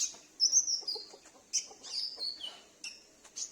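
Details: Sunbird kept at home responding to a lure sound, used to attract wild birds; high thin whistles that glide downward, separated by sharp chips, in about four short phrases.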